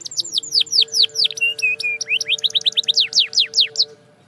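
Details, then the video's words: Canary singing for training purposes: rapid series of high descending slurs, a few low steady whistled notes, then quick rising chirps and sweeping down-slurred phrases, around two per second, with a faint steady hum underneath. "From Silent to Singing! The Canary Sound That Works Wonders"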